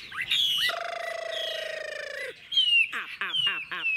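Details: Old wild-caught Chinese hwamei in a cage, bright whistled phrases broken by a long steady buzzing drone, then rapid clicking, chattering notes and a sliding whistle.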